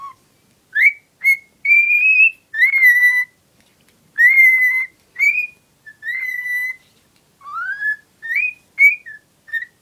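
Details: Pet female cockatiel, in love with a cuddly toy as always and eager to show it, whistles a series of clear, tonal notes, some rising and some held flat, repeated with short gaps, in a quiet room.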